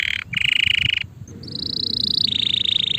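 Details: A male canary singing: sustained buzzy trilled tours, first a steady mid-pitched roll, then a brief break followed by a higher rapid trill that drops slightly, over a low background hum.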